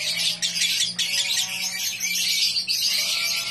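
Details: Lovebird from Samarinda, Indonesia, kept for song contests, chattering at high pitch in fast, rasping trills that run almost without pause, with one brief break just before the first second.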